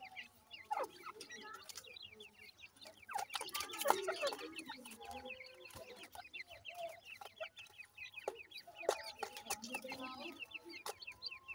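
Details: A brood of grey francolin chicks, Punjab, Pakistan, cheeping continuously: dense overlapping high, short, downward-slurred peeps, with scratchy rustling noise throughout and a louder bustle in the middle.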